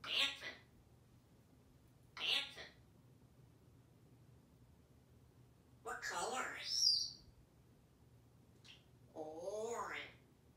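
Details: Male African Grey Parrot kept as a pet in Texas, naming colours during a back-and-forth with his owner: a few short spoken bursts, then a sliding whistle and a wavering, harmonic warbled phrase.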